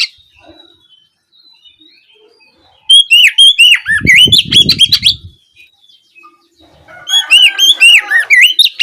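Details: Evening ngeplong song of an Oriental magpie-robin, used to stimulate another to respond: rapid ringing whistled loops and chips in two bursts, with a brief low rumbling sound midway.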